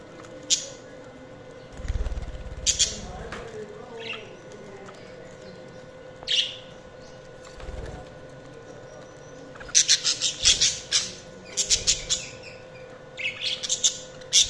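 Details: Budgies giving scattered sharp squawks separated by low thuds and quiet gaps, then a dense burst of rapid, raspy chirping and chattering in the last few seconds.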